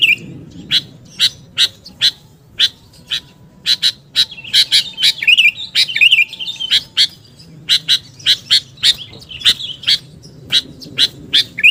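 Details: Sooty-headed bulbul for luring: a long, busy run of sharp chips, some in quick clusters, broken by a mid-section of rolling, wavering whistles, with faint hum behind.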